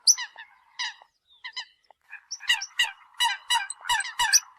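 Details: Eurasian coot decoy sound: a few scattered nasal notes at first, then a rapid burst of loud, overlapping honks and sharp high squeaks.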